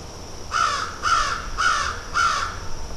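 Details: Crows pecking and feeding; four harsh, drawn-out caws repeat at a steady pace, roughly one every half second, against a constant hiss.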